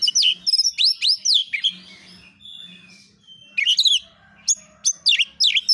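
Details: Kacer, the oriental magpie-robin, sings 'nembak isian' on a lure recording meant to draw answers. It gives fast runs of sharp, high, down-slurred and rising notes in bursts, with a faint low hum behind them.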